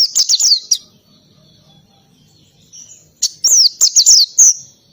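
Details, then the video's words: Oriental white-eye in loud 'ngalas' song with canary-style volleys: quick high, sliding, whistled chirps in a burst, then a second of near quiet with faint low murmurs, then another rapid run of descending high notes. "PLECI NGALAS,TEMBAKAN KENARI SUPER RIBUT"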